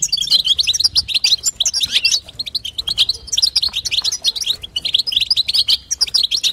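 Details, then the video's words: Continuous twittering from a female European goldfinch, played to stimulate a male to sing; quick jingling high notes run in long dense strings with only short pauses. "بتبتة وستسته حسون تجعل الحسون يغرد فقط اسمعه اذا لم يغرد حسونك اثنى"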